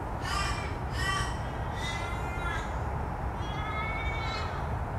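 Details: Australian raven at Olympic Park, Sydney, Australia, on 17 November 2014, giving four nasal, wailing caws, the later ones drawn out and trailing downward, over a steady low rumble of background noise.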